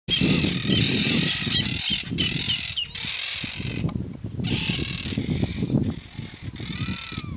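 Monk parakeets give harsh, grating squawks and chatter in bursts of a second or two, over steady low traffic rumble.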